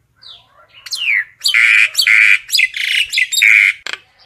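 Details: Harsh, raspy squawks from a common myna calling the flock, delivered in a rapid chain of loud grating bursts after a thin rising opening note.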